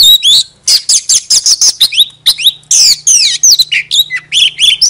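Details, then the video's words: Oriental magpie-robin song mixing buzzy repeated chips with looping whistled slurs, loud and close, over a faint steady low hum. "Chòe than hót xòe II chòe than mồi CỰC HAY"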